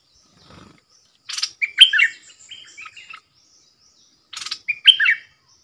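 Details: Decoy bulbul in a cage luring wild birds, which came in three times, 13 April 2021; a faint low rustle, then two phrases of rapid chattering chirps and sweet warbled notes about three seconds apart.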